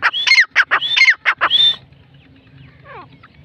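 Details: Partridge delivering a quick series of harsh, rasping notes, each tied to a clear whistled rise-and-fall, for under two seconds before stopping. Faint low background rumble and a few soft distant chirps follow.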